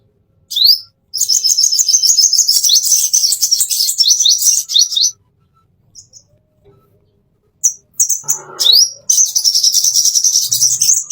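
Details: Plain-throated sunbird, locally konin, singing a master song used to train caged birds: a long, fast, continuous high-pitched twittering stream of thin chips and slurs, a pause, then more rapid thin trills.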